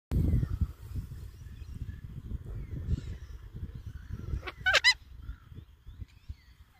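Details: A cockatoo, met up close in a park, lets out one brief, harsh, grating screech in two quick bursts near the end, over steady low rumbling from wind or handling.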